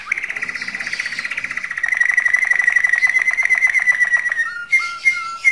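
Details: Canary mating song meant to stimulate females to breed: a long, even, rapid trill of repeated notes, steady in pitch, then a few separate whistled notes near the end, with faint room noise.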